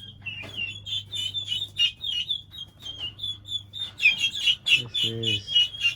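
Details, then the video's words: Baby turkeys, 1.5 months old, raising a ruckus: a busy chorus of high, thin, whistled peeps, several each second, over a low steady hum, with a brief lower voice near the end. "Baby Animals Turkeys Cute Sounds"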